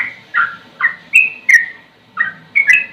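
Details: Sooty-headed bulbul (trucukan) singing slowly: loud slurred whistles, some dipping low and rising again, spaced about half a second apart with one short pause.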